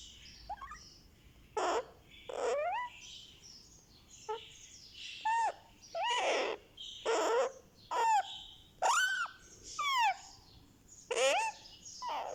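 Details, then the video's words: Baby Indian ringneck parakeet, one month old, making sweet sounds as its head is massaged: a long series of rising, sweeping squeaky calls and harsh squawks about once a second, some sliding upward steeply. "Rex the Ringneck baby gets a Head Massage | Candy makes sweet sounds"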